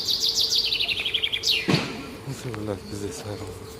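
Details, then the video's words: Small bird singing in the morning: a fast, high trill falling in pitch with a rising flourish at the end, followed by a low human voice in the background. "Таңкы чымчык сайроосу"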